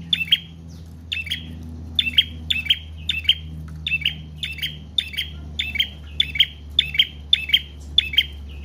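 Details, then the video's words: A prinia sings for luring wild birds and training caged ones: a fast, even series of piercing double chips with buzzy tails, about two per second, over a steady low hum. "Prenjak Trotol/Paot Gacor Panjang"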